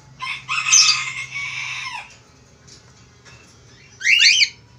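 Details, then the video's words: Male Australian finch in lively, active song: a dense buzzy, warbling burst of high notes lasting over a second, a pause, then a short cluster of sharp, bright chirps. "FALK AUSTRALIA JANTAN GACOR"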